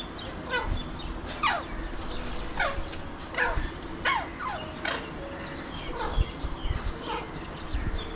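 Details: Several Alexandrine parakeets in Mumbai, India, seen from a window, trade a rapid run of raspy, descending screeches, roughly one or two every second, with a low hum of urban noise underneath.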